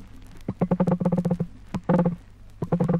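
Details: An emu recorded in Australia, from a 1968 vinyl record, gives deep, hollow drumming: rapid low thumps run together in three bursts, each lasting under a second, over a faint background hum.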